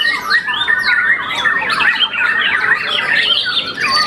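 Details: Young white-rumped shama after its first moult, a contest champion, singing a dense, continuous stream of varied whistles, squeaky notes and rapid trills with no pauses.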